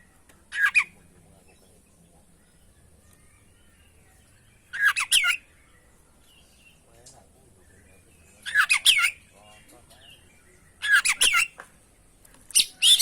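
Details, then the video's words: Oriental magpie-robin song used as a training lure, described as full of varied borrowed notes: short dense bursts of rich, scratchy, rapidly varied notes, each about half a second long, repeated every three to four seconds with quiet gaps between. "masteran pancingan burung kacer gacor isian bongkar"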